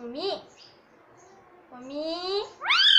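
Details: Pet rose-ringed parakeet in India mimicking the words "Mummy Papa". Two voiced, harmonic phrases that rise and fall like speech syllables, separated by a pause, then a sharp rising squawk-like note at the end, indoors.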